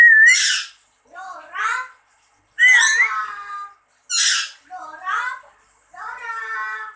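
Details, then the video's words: Lory replying to its owner with loud harsh squawks, one opening on a short whistled note, repeated about every one and a half seconds, mixed with softer voice-like chattering. "burung nuri berkicau"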